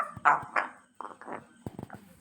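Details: A pet African grey parrot that has just started talking in short words says "love you" phrases in a harsh, voice-like tone: a few short syllables, a pause, then quick clipped sounds.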